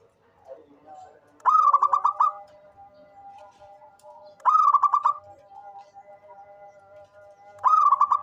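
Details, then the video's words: Actively calling local zebra dove: three loud bursts of quick, stuttering, rolling coos about three seconds apart, each trailing into a faint steady tone, in otherwise quiet surroundings. "SUARA perkutut LOKAL gacor cocok buat pancingan rajin bunyi"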